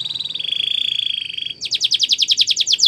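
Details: Spanish Timbrado canary training song: a fast, even trill on one high pitch for about a second and a half, then a quicker, louder series of sharp repeated notes pulsing several times a second.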